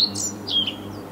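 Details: Singing pied flycatcher at Viertola, Vantaa, Finland, in May 2012: a high thin whistle, a higher buzzy note, then a descending drawn-out whistled note over a faint low hum.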